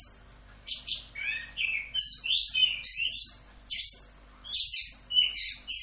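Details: Orange-headed thrush pouring out a full 'Rock'n Roll' masteran song: a varied sequence of slurred whistles and high chattering notes, nearly a hundred per minute and irregularly spaced, over a low hum.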